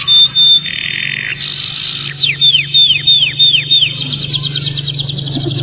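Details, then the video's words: Canary song, played to prompt a silent canary to sing and respond. A long steady whistle gives way to a buzzy trill, then a run of rapid, high, downward-sweeping notes, ending in a fast chattering trill. A low steady hum runs underneath. "KENARI MACET BUNYI(terapi suara kenari gacor)"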